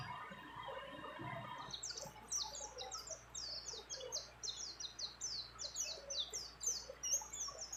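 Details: Female mountain white-eye calling a male while in breeding condition, mixed with other birds' phrases: muffled rumbling noise at first, then a steady series of high, short chirps repeated rapidly.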